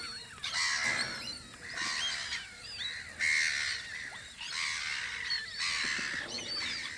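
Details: A spring gathering of seagulls at a guard post on Audru polder gives loud, harsh cries in bursts about a second apart, layered with thinner rising whistles from other birds in the flock.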